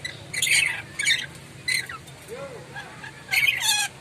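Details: Moluccan lory giving loud, sharp calls: harsh broadband squawks in short bursts, a pair near the start, then single notes, ending with a strong double burst; faint low hum beneath.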